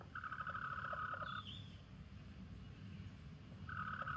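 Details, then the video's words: Chickens warning the flock with alarm calls: a long, buzzy, tonal scream lasting over a second, a quieter pause with a faint high whistle, then a second drawn-out cry starting near the end, over steady low rumble. "Chickens warn the flock with sounds like this!"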